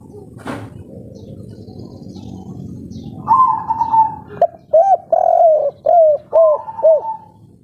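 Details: Local kuk 3 spotted dove, played to draw other doves into calling: after a sharp click, a long level note, then a lively series of about six short, arched coos, with faint rumble behind.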